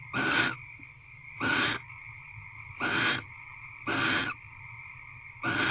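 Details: A mating pair of barn owls inside an owl box, recorded at 6:04 pm on 27 February 2023 during their tenth evening of bonding; five loud raspy hisses spaced over a second apart, with a constant background hum between them.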